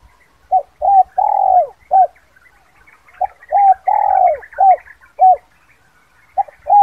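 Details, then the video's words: Spotted dove call used to lure wild birds: clean phrases of short arched coos followed by a long drawn coo, repeated twice, then a fresh phrase starting; faint chirps from other birds behind. "Suara Panggil Pikat terkukur KUK 2 Bersih"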